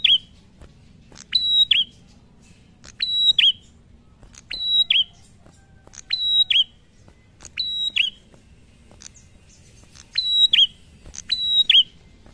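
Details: Ngalun-style prinia song that sets other prinias singing: seven even phrases, each a rising flick, a steady high whistle and a falling twist, spaced about every one and a half seconds, soft low rumble beneath.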